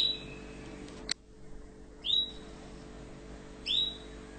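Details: A sharp click, then an orange Tunisian canary giving quick rising whistled chirps spaced about one and a half seconds apart, clear and high against a low steady hum.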